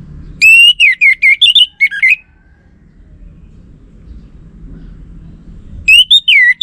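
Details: Orange-headed thrush song used as a lure for male birds: a rapid series of about eight bright, looping whistled notes, a long quiet spell, then a fresh loud run begins.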